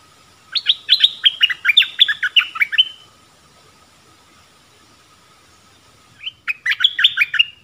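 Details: Streak-eared bulbul singing two bursts of quick, chirpy notes that slide downward in a rapid run, with a pause of about three seconds between the bursts and a faint steady hum behind.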